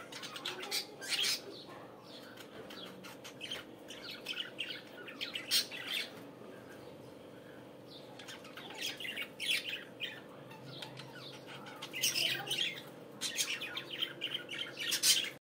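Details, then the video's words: Budgerigars in the morning in bursts of loud scratchy chattering and squawky chirps separated by quieter gaps, the busiest stretches near the start, middle and end, with a steady hum behind. "صباحكم جميل علي صوت أجمل عصافير عصافير البادجي"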